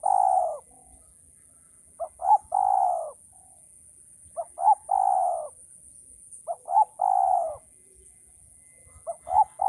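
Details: Male spotted dove cooing, used as a training call for keepers: a two-note lead-in followed by a long, low, drawn-out coo, repeated roughly every two seconds over a steady high-pitched electronic whine.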